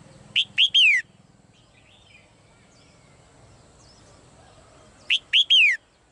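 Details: Female cage bird in Thailand calling in two separate phrases about five seconds apart. Each phrase has two quick high notes and a longer falling whistle. A low hum sounds beneath the first phrase.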